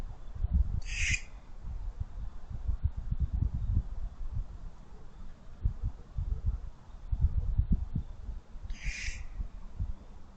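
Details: Barn owls competing for an owl box on the evening of 8 December 2023, recorded close up: two harsh, hissing screeches about eight seconds apart, each lasting under a second, over steady low rumbling and thumping noise.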